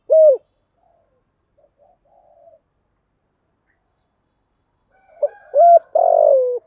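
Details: Spotted dove in deep 'thổ' voice, a structured cooing song meant to provoke decoy birds: one short coo opens, a long silence follows, then a burst of clipped notes ending in a drawn-out, hoarse, downward coo.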